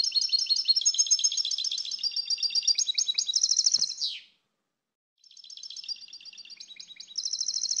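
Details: European goldfinch in sustained song, a dense stream of rapid high tinkling and buzzy trills, breaking off with a falling slur, then resuming after about a second of silence.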